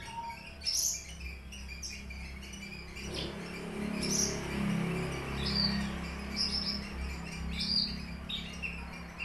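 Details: Horsfield's bush lark, subspecies aliena, from Papua, kept in a cage and singing strongly with borrowed finch phrases. Scattered high, sharp chirps and squeaks ring out over a constant low rumble of room noise.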